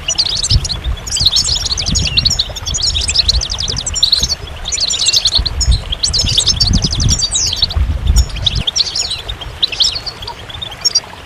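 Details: Goldfinch singing repeated bursts of fast, high twittering and jangling trills separated by brief pauses, with low background rumble.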